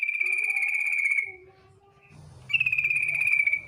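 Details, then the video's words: Yellow-vented bulbul female lure call: two drawn-out, rapidly pulsed buzzy trills of about a second each, with a quiet lower whistle and soft rumbling noise between them. "TRUCUK BETINA NGETIR panggilan sadis,pancingan agar BUNYI jadikan burung trucukan BUNYI GACOR"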